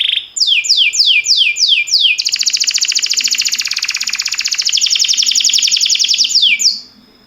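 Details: Canary song recorded for training other canaries: a run of steep descending whistled sweeps repeated about five times a second, then a long dense buzzing roll of rapid notes, ending on more falling sweeps.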